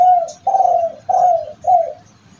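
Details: Tumpang sari song of a kept spotted dove, prized because its voice is believed to bring its owner good fortune. Four mellow, hollow coo notes, long and falling, separated by brief pauses against a quiet background.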